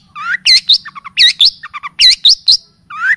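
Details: Long-tailed shrike (cendet/pentet) lure song in the kapas tembak and cililin style, used for training caged birds. Upslurred, then downslurred whistles alternate with short chattering chips in quick phrases, with a few brief pauses.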